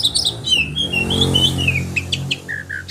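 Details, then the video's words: Caged oriental magpie-robin with a sharp-voiced 'roll' and 'tembakan' song for triggering other magpie-robins to sing: gliding whistles, then short clipped high notes and two flat whistles, over a steady low humming background. "kacer roll tembakan suara tajam anti stresss bikin kacer lain jadi konslet bongkar materi"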